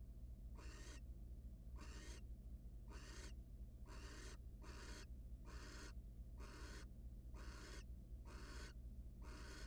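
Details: Wild barn owls in a nest box, the male stopping by with prey for his mate; about ten rasping, breathy hiss bursts come in a fairly even series, some paired closely, over low electrical hum.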